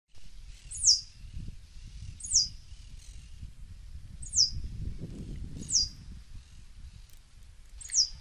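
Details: Swallow-tailed hummingbird giving thin, very high squeaky notes that slide downward, spaced about one and a half seconds apart, over a low rumble of background noise.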